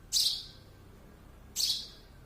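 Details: Baby sparrow giving two sharp, high chirps about a second and a half apart, each a brief bright burst falling away quickly, over a quiet low hum.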